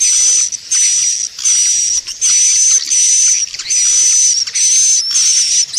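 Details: Recording played to lure swiftlets: repeated loud, hissing, buzzy notes with a steady high whistle inside, each lasting about half a second, separated by short gaps, six or seven in a row.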